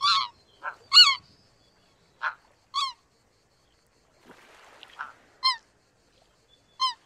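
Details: Scattered single high, yelping honks of greater white-fronted geese spaced across several seconds, with brief soft rustling noise in the middle.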